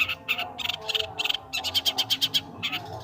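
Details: Harsh, chattering long-tailed shrike song made of scratchy notes in short clusters and a quick run of clear, ringing chips, with faint music behind.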